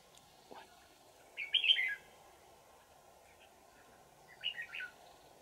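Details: Wild red-whiskered bulbul, trapped with a decoy on 20 December 2018, sings two short bright warbled phrases a few seconds apart, plus a faint click, over a low steady hum.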